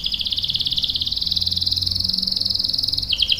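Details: Canary giving a long rolling trill, an even, rapid buzzy rattle sustained for about three seconds before a brief pitch drop at the end.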